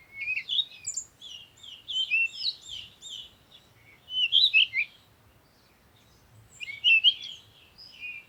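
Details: Wild birds chirping in a quiet countryside yard: bursts of high, quick tweets and twittering notes come in clustered phrases, separated by short silent pauses, with no other clear sounds.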